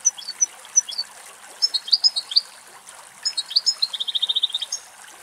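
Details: Two adult male European goldfinches in summer heat at a bird bath deep in a Greek forest, drinking and bathing; high, thin twittering notes mixed with a quick, evenly pulsed trill near the end.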